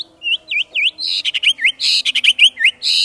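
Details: White-rumped shama song of varied whistled swoops, dipping and rising notes mixed with harsh buzzy bursts, delivered in a quick continuous stream.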